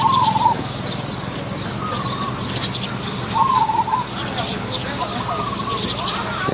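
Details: At Wapi, Maha Sarakham, Thailand, wild Zebra doves are drawn toward a decoy cage; two clear warbling coos sound about three seconds apart, with fainter answering phrases between them and constant low outdoor noise.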